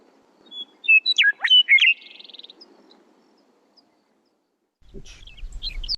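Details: A Western meadowlark (Sturnella neglecta) sings a rich, flute-like phrase of clear whistles dropping in pitch, ending in a fast gurgling warble; a low thump and faint chirps follow.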